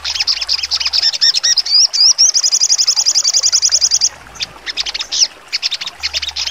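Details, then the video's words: Sogon songbird in full trotol song, sharp and piercing, used as training song for contest birds: varied chirps and swooping whistles give way to a long, fast, even high trill, then broken, bursting notes. "sogon trotol full nembak tajam"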